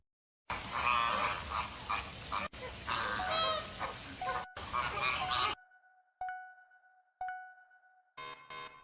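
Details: A flock of flamingos clamors in a dense, nasal honking chorus, then gives a few drawn-out, steady honks, with faint background music possible.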